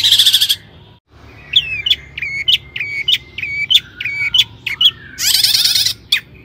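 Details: Long-tailed shrike in energetic lure song, used to get other shrikes singing. A harsh burst opens, then a series of clear, slurred whistles, then another loud, grating chatter near the end.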